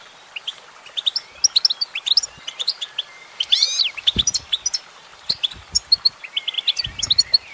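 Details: Goldfinch female singing, with scattered high chirps building to a dense swirling flourish of sweeping notes, then looser twittering; faint low knocks underneath.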